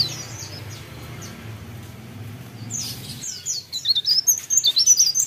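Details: Cikrak daun, or mountain leaf warbler, singing busily at Pare Pare: after a few seconds of quiet with faint background hum, a burst of rapid, high-pitched, thin trilling notes that jump up and down in quick succession.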